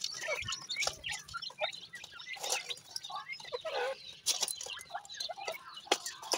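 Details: Grey francolin chicks, kept and cared for as young birds, giving many small high chirps and peeps scattered through the clip, overlapping one another, with soft rustling below.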